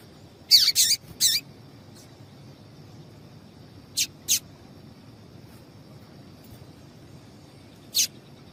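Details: Female double-collared seedeater call for stimulating male song: a cluster of three loud, high, scratchy chips at the start, a softer pair around four seconds, then one lone chip at eight seconds.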